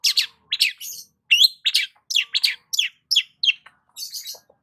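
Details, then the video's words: Long-tailed shrike in morning sunbathing, repeating bright down-slurred chirps about twice a second, some doubled, with varied pitch, closing on a softer scratchy phrase. "KICAUAN BURUNG CENDET SAAT BERJEMUR DI PAGI HARI"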